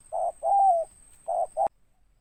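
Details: Deep-voiced spotted dove phrase ending on a final note: a short coo, a long wavering coo falling at its end, a pause, then two brief coos cut off by a click; quiet background.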